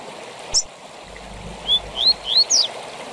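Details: Double-collared seedeater (coleiro) voicing a short 'tui tui zel zel' phrase meant for song training. One sharp note, a pause, then four clear rising whistles ending in a high zip, over a continuous hiss.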